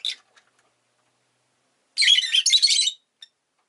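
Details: Rosy-faced lovebird: a brief shrill chirp, then after a pause a long, dense run of rapid, rasping chatter lasting about a second, then one faint short note.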